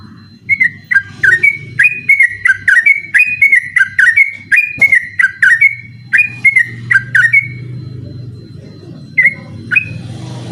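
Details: Persistent sooty-headed bulbul song at night, meant to train other contest birds: a long rapid series of whistled slurred notes, then sparse notes as a broad low rumbling noise rises.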